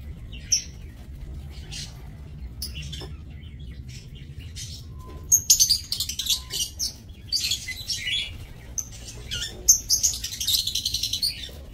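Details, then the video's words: Several lovebirds kept in an aviary cage for breeding, 30 May 2024. Scattered thin squeaks at first, then a dense run of shrill, scratchy chirps and chatter in the second half. "Aviary Lovebirds"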